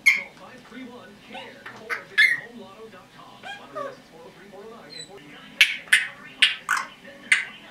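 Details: Pet red-bellied parrot, a 10.5-month-old female, mixing soft speech-like murmurs with a run of five loud, harsh, high squawks spaced about half a second apart near the end.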